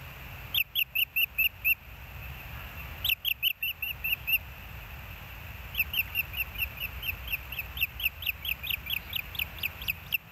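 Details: Osprey at the Hellgate nest, filmed by a live nest cam on 20 May 2024 at 11:08: bursts of sharp, high chirps repeated rapidly in strings of about eight to fifteen, with short pauses between the series.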